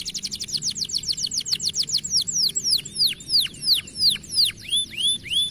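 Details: Young canary singing a run of downward-sliding whistled notes, rapid at first, then slowing to about three per second as each sweep falls from very high to mid pitch, over a faint low hum.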